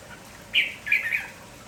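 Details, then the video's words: Lively village red-whiskered bulbul in morning song, giving a clear whistled note then a two-part warbling phrase, loud and bright above soft background noise. "MERBAH JAMBUL KAMPONG GALAK TAK HENTI BERBUNYI"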